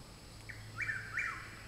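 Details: Chuck-will's-widow singing in the woods behind a home: one song, a soft short opening note followed by two loud, whistled phrases that sweep up and then slide down, over a faint low hum.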